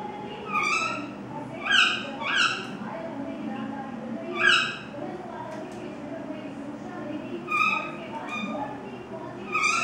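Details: Common myna feeding young outside the nest gives harsh, nasal, scratchy calls in short bursts, some doubled, every one to two seconds over steady hiss.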